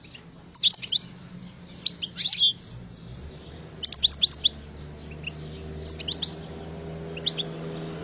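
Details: European goldfinch singing: scattered bursts of high, bright twittering and tinkling notes in short clusters, separated by quiet gaps, with a faint low hum beneath.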